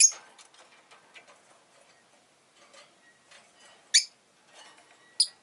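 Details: Agapornis roseicollis, the rosy-faced lovebird, lets out three shrill, scratchy chirps spaced over five seconds, with soft rustling and faint clicking sounds between them.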